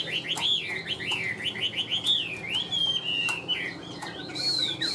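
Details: Caged tame Chinese hwamei whistles a string of loud rising and falling notes, about two each second. A longer high slur comes near the end, over faint background hiss.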